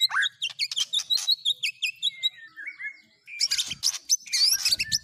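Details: White-rumped shama song carrying canary and lovebird-like isian: quick high chirps and trills, a gliding whistle, then harsh, scratchy twittering.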